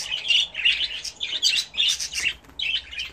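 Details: Captive budgerigars raised at home, calling during a bath: short scratchy warbled chirps in bursts roughly every half second, indoor room.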